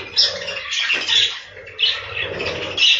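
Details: Captive budgerigars in a breeding room give sharp squeaky chirps about once a second over a murmur of softer chatter from the flock.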